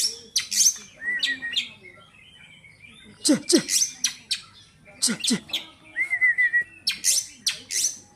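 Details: Competition-ready kacer, an Oriental magpie-robin described as healthy, delivering varied song: piercing high chirps, harsh rasping notes, low downward sweeps and a fast trilled whistle series, with pauses between bursts.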